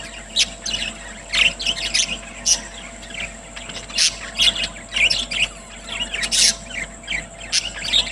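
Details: Caged budgerigars chirping happily at eating time, recorded on September 30, 2023. Several birds make busy, high, twittering warbles and sharp chirps that overlap continuously, over a steady electrical hum.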